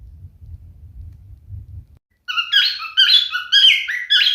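A male cockatiel sings a run of bright, warbling whistles that rise and fall, after about two seconds of low rumbling background noise.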